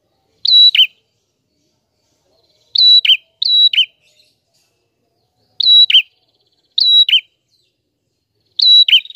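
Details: Prinia in loud, clean song meant for tutoring birds: six whistle-then-buzz phrases, sometimes in quick pairs and elsewhere spaced about two seconds apart. Faint stuttering ticks lead into the last phrase.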